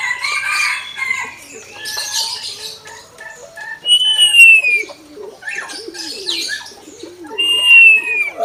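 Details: Common hill myna in song: rough chattering and raspy noise at first, then low wavering notes, broken by two loud clear whistles that slide downward, about three seconds apart.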